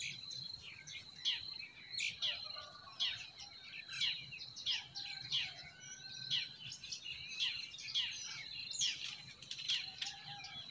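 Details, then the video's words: Several spring forest birds chirping busily: rapid sharp tweets and trills repeated about twice a second, interleaved with occasional short whistled notes, a constant high thin drone running beneath throughout. "Relaxing Singing of Forest Birds"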